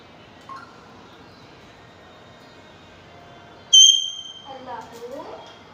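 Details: Kashmiri (Indian) ringneck parakeet, a talking pet, mimics the Snapchat streak sound as a sharp pure electronic beep, then a brief garbled speech-like warble, in an otherwise quiet room.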